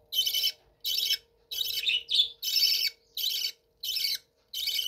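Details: Captive budgerigars kept in a room give loud, grating, buzzy squawks in a steady series, some notes longer and wavering, over a low constant hum.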